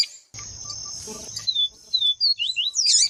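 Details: Double-collared seedeater (Sporophila nigricollis, papa-capim viviti): a male's song and a female's calls, used by breeders to "warm up" males. A long high thin whistle, then quick, sharp, down-slurred high notes ending in a buzzy twitter, over a faint low hum.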